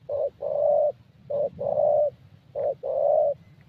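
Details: Spotted Dove, a young bird with a fairly good voice, recorded at a decoy session in Gia Lai, Vietnam; three evenly spaced phrases, each a clipped coo leading into a longer steady hollow note.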